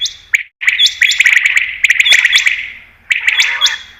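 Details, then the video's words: Common quail (batair) calls played as a hunting lure: bursts of sharp, echoing notes, mostly high, running together in long rolling phrases with short gaps and a faint low hum beneath. "Batair Ki Best Awaz , Batair Sound , Common Quail New Sound For Hunting 2022"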